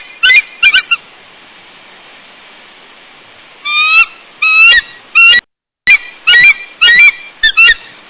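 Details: Bald eagle pair at the West End rock, early morning of 29 January 2014: the female trumpets to draw her mate in for bonding, with a series of shrill, piercing chattering notes in quick bursts separated by short silences.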